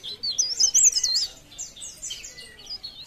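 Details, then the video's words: Short, fast phrase of wavering high whistles from a vigorously singing leaf warbler, then softer, thinner chirps trailing off in the background. "Cikrak daun Gacor"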